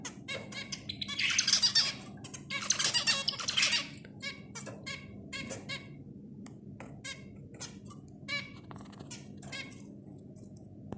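Zebra finches give rapid nasal, buzzy squawks and short chirps, several birds calling over one another in quick bursts, loudest in the first few seconds.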